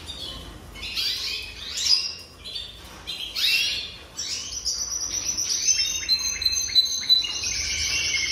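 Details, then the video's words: Jasper canary song: scratchy high twittering phrases at first, then sustained fast trills and rolling high notes that run on continuously through the second half. "Chant Canari Jaspe"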